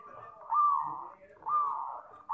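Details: Zebra dove (perkutut), a young bird in training, giving two loud, slightly rising coo phrases about a second apart, each swelling then tailing off, in a quiet setting.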